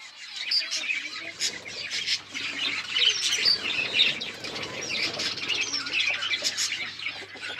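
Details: Lovebirds mating give steady, busy chattering of high squeaks and chirps, with occasional louder squawks. A low hum sounds in the background.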